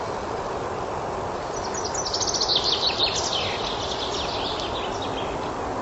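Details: Common chaffinch in a spring forest delivering a fast, rattling trill of high descending notes lasting just over a second, set against a continuous rushing noise.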